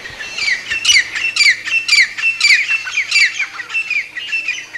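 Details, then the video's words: Grey francolin calling: loud, harsh, ringing notes with a sharp rising-then-falling shape, repeated in a steady rhythm about twice per second throughout, with no other clear sounds. "তিতির পাখির ডাক | Grey Francolin Bird Sound | Teetar ki awaz"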